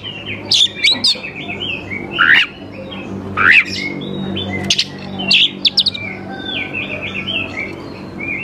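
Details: Oriental magpie-robin singing as a lure for young wild birds: scattered sharp chirps and rising whistled notes over a steady low hum, with a quieter rambling passage toward the end.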